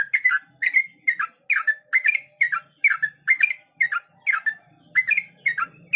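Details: A yellow-vented bulbul sings rapidly in the ropel manner, giving repeated bubbling, slightly descending liquid phrases close together for six seconds, with faint low background hum.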